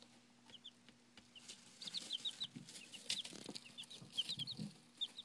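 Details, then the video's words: Chicks about five days old peeping: several birds give short, high, thin chirps, many falling in pitch, scattered in quick irregular bursts, with soft rustling and light thumps around them. "Little Peepers"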